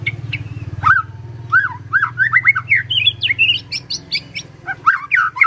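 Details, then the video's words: Energetic song from a murai (magpie-robin): quick, varied whistled notes, some twisting and slurred, over a steady low background hum, with a fresh burst of notes near the end. "Murai Nyaut Gacor"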